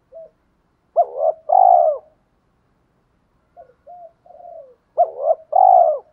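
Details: Male and female spotted dove decoys giving a fast provoking coo to make rivals answer and fight: two full phrases, each a sharp double note then a long, rich, descending coo, with quiet wavering murmurs between them.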